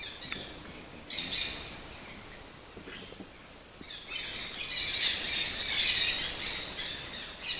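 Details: Dusky-headed parakeets arriving at a traditional clay lick on the bank of the Rio Arajuno, Napo, Ecuador, give harsh, high, overlapping screeches and chatter in two noisy bursts, the second lasting several seconds, over a faint outdoor hiss.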